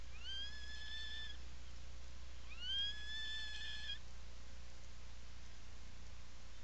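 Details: Nesting-burrow Atlantic puffin, Seal Island National Wildlife Refuge, Maine, 17 July 2018; two similar rising, harmonic, slurred calls roughly a second and a half long, spaced about two seconds apart, then quiet hum.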